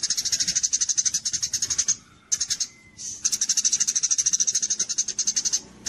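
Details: Tutor recording of a gereja cililin kapas tembak sparrow for songbird contests: rapid strings of sharp high chirps pouring out in long runs, one clear pause midway, with a faint thin whistle in the gap.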